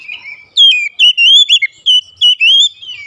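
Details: Provoking lure of oriental magpie-robin song: a loud downward whistle followed by six or seven wavering whistled notes at a similar pitch, evenly spaced and ringing.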